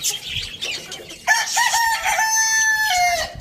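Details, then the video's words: A rooster crows in the morning: after a moment of bird twittering, a loud, strongly harmonic cock-a-doodle-doo lasting about two seconds, with a few stepped notes, then a level drawn-out ending that drops at the close. "Rooster crowing sound in the morning"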